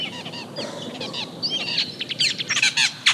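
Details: Austral Blackbird (tordo), a very social Chilean bird that always moves in groups, known for highly complex vocalizations; a jumble of varied whistled slurs, rising and falling notes and rapid buzzy chatter, growing louder and denser toward the end.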